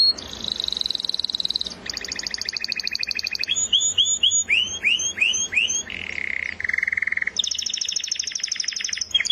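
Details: Canary song made of changing tours: a high buzzy trill, a rapid rattling roll, repeated hooked downward chirps, two steady flat whistled tones, then another fast trill.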